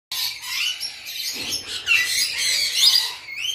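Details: A captive breeding pair of red-collared lorikeets gives harsh, high, grating screeches and chatter in a steady, overlapping stream with no pauses; no other sounds stand out.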